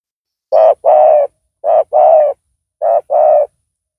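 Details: Spotted dove used as a decoy to lure a rival, loud voice; three paired coos, a short note then a longer note, low and hollow, repeated about once a second.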